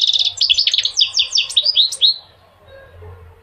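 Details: A rapid, continuous run of bright goldfinch twitters and slurred chirps lasting about two seconds, then the song stops and the rest is quiet.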